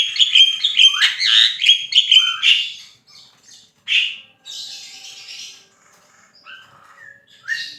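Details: Javan myna (jalak kebo) in gacor song: a fast run of sharp chattering chirps, then scattered harsh notes, a buzzy burst and a final rising whistle, indoors.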